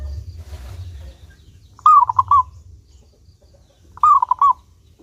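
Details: Local zebra dove singing steadily and clearly, meant as a lure to make doves sing often: two crisp phrases about two seconds apart, each opening on a high coo then tumbling through rapid stepped notes, with low rumble earlier.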